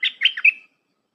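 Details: Part of a Red-whiskered bulbul's dense 'dok taeng' song, played to train young hand-fed birds. A rapid burst of four bright, slurred whistled notes in under a second, ending on a drawn-out tone. No other sounds.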